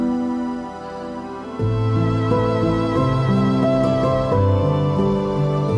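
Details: Gentle instrumental music with sustained string-like notes and soft chords, no animal sounds heard.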